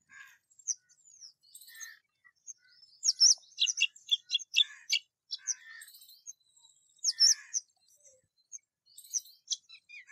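Rose-ringed parakeet giving high, sharp chirps and chattering notes in uneven bursts, loudest in two clusters of rapid squeaky calls.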